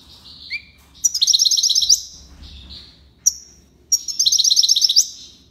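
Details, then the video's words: Tiwawati song of a European goldfinch recorded in Algiers: a thin whistled note and a low slurred chirp, then two fast sparkling trill bursts separated by a single sharp note. "مقنين تيواوطي ليبساد الله يبارك / chardonneret tiwawati"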